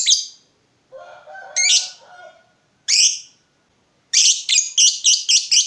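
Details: Lovebird in full voice, played to lure answering lovebirds: scattered harsh chirps with a brief low scratchy sound, then a rapid burst of about seven bright, high chirps.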